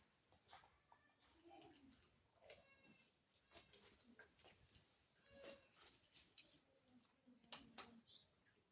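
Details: A pet talking Alexandrine (hill) parakeet chatters in harsh, raspy word-like phrases with sharp squawks, quiet indoors with faint human voices nearby.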